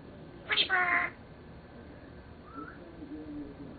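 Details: A 7-year-old male Senegal parrot, talking, gives one nasal, meow-like spoken sound lasting half a second, then a faint, brief rising whistle over quiet room hiss.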